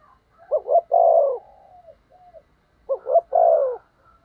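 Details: Spotted dove kept to lure wild doves, cooing in the thúc gù manner: two phrases, each a quick double note then a long downward coo, with a soft drawn-out note between them.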